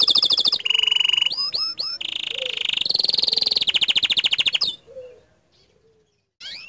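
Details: Canary in full, energetic song, termed gacor dor: loud rapid trills and buzzy rolls, sharp upward-sweeping notes, a steady fast-repeated trill, then a brief pause before the song resumes.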